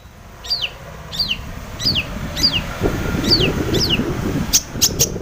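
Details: Long-tailed shrike, played to provoke rival shrikes into song: a series of six clear downslurred whistles about every 0.6 seconds, ending with sharp clicks, over low rumbling noise.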